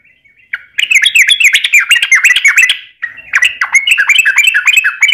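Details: Trucukan, or Yellow-vented Bulbul, delivering long rapid ropel lure song to make other trucukan sing: faint opening notes, then two dense bursts of bubbly, tumbling chirps and slurred whistles with a short break between them.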